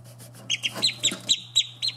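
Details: Australian shelduck ducklings giving a series of thin, high peeping notes, some sliding upward, repeated irregularly several times per second over a steady low hum.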